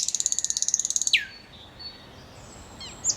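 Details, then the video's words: Nightingale singing a fast, even trill of very high repeated notes followed by a sharp downward slur, then faint thin whistles and a final high note. "Nightingale Singing"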